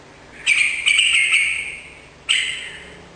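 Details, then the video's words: Sooty-headed bulbul (trucukan), described as singing vigorously, played so a kept bird will reply: a bright warbling phrase of about two seconds with quick pitch wiggles, then a second phrase begins, against a faint background hiss. "suara burung trucukan gacor"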